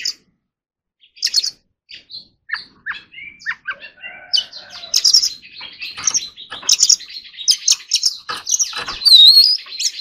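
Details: Oriental magpie-robin training its song: scattered short notes at first, building into continuous rich warbling with chattering bursts and a high wavering whistle near the end.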